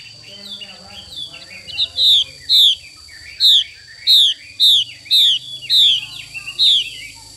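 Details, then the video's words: Hen Chinese hwamei giving 'xùy' calls: after low background murmur, eight or nine sharp downslurred whistles follow one another at uneven half-second intervals. A constant high-pitched tone persists. "Họa mi mái xùy cực đỉnh"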